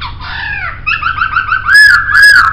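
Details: A brief laughingthrush phrase for training songbirds: a descending arched note, a quick series of clipped chirps, and then two loud, ringing, rising-falling whistles.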